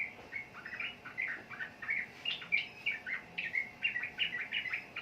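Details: Sooty-headed bulbul singing: a steady stream of short bubbly whistled notes, rising and falling, packed closely together for five seconds over a faint background hiss.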